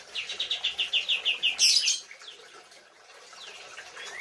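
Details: White-rumped shama training song for cage birds: a rapid run of about ten clipped whistled notes at an even pitch, then a louder, higher buzzy burst and fainter thin slurred whistles afterward.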